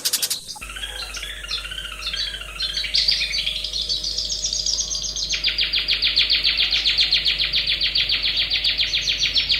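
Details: Long-tailed shrike in natural habitat, a loud click, then a twittering warble that builds into a fast, even rattling trill repeated about three times per second until the end.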